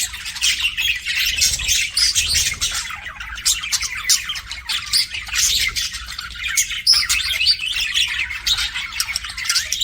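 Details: Budgerigars kept as pets chatter in a thick flow of chirps, squawks and buzzy trills, with a distinct high squeak standing out partway through.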